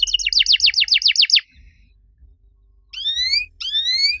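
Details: Master singing of a canary for training other canaries: a series of quick downslurred whistled notes, a pause, then two drawn-out rising whistles with harmonics.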